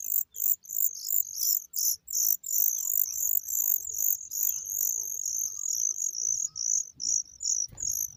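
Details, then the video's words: Oriental magpie-robin chicks being fed by a parent, giving a continuous stream of very high, hissing, pulsing begging notes repeated about two or three times per second, with brief gaps and a soft low rumble beneath. "Oriental magpie bird feeding the babies"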